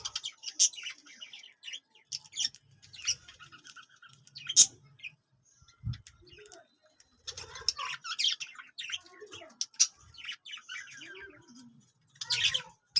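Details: Yellow parrot giving scattered bright chirps and scratchy chatter in irregular bursts, with quiet low thumps and faint background noise between calls.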